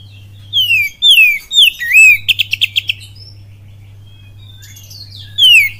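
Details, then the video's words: Oriental magpie-robin (kacer) sings a kapas tembak-style lure song, Cililin: falling whistled slurs, a curling upswept note, a brisk burst of about seven short notes, near silence, then one more descending whistle over steady hum. "SUARA PANCINGAN KACER FULL KAPAS TEMBAK CILILIN DAHSYAT"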